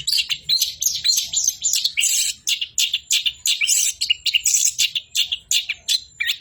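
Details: Rapidly repeated short, bright notes and buzzy twitters from an orange-headed thrush, delivered in a lively, almost continuous rhythm at a high pitch.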